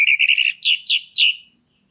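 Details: Captive orange-headed thrush song meant to bring a bird into breeding condition: a quick run of buzzy repeated notes, then three loud downslurred whistles.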